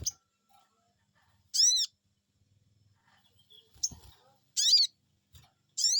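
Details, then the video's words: Crested Jay, locally sogon, answering a lure call with loud "cuiit cuiit" notes: three harsh, arched, harmonic calls spaced irregularly, with faint low thumps between them. "Cuiit cuiit,,pancingan burung sogon bikin resfon,,,langsung nyaut"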